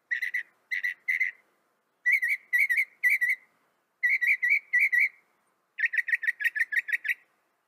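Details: Northern mockingbird song made of whistled chirp clusters in groups of three or four, with short gaps between groups, ending in a faster run of about ten notes.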